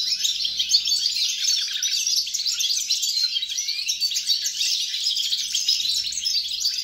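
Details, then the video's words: A European goldfinch, recorded 29 December 2022, delivers steady, sparkling song of rapid high twitters, trills and a brief rising whistle, flowing continuously. "GOLDFINCH SONG"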